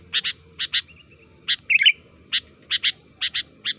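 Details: Sooty-headed bulbul calling energetically, played to get other bulbuls answering and singing. Crisp paired chirps repeat roughly twice a second, with one brief bubbly warble near the middle and soft background hum.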